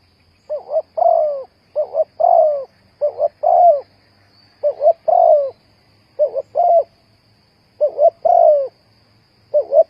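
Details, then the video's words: Spotted dove cooing as a trapping lure, in short phrases of two or three mellow, mid-pitched coos, the last note longer and falling, repeated about every 1.3 seconds with brief pauses, over a faint steady hum. "The Tekukur Pikat Cocok,The Sound of Spotted dove"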